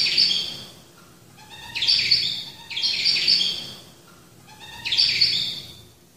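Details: Black-throated finch (Poephila cincta), a species of eastern and northeastern Australia, giving four bright, buzzy bursts of chirps about every second and a half, with short lower whistled notes in between.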